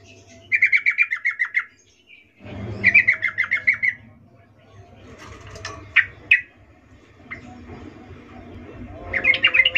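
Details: Female sooty-headed bulbul in breeding condition calling a male, a 'ngecuplik' arousal call: three bursts of rapid, evenly spaced chattering notes, separated by pauses, with a low hum and scattered sharp single notes.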